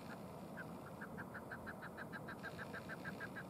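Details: Chukar in Ashcroft, British Columbia, Canada, recorded March 13, 2019, giving a quick run of clipped, clucking notes at about three per second, evenly spaced, with constant low-pitched background noise.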